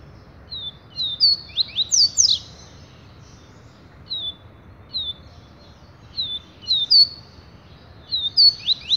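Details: Double-collared seedeater singing: clear high whistled notes in short phrases, each note sliding downward, with a quick burst of steep slurred notes near the start and gaps of about a second between phrases; quiet background.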